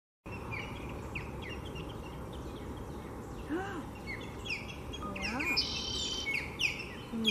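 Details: Osprey pair on a nest with three chicks at Lake Seminole Park, Seminole, Florida, defending the brood against an intruding osprey: scattered sharp, high, downslurred chirps, irregular and overlapping, over steady low background rumble.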